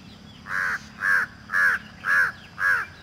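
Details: Indian peafowl (Pavo cristatus), call.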